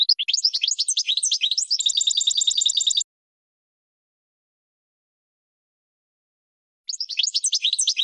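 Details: Goldfinch song, European, played as a learning model for pet birds: three seconds of busy tinkling twitter ending in a steady, rapid trill, a long silence, then the twittering resumes.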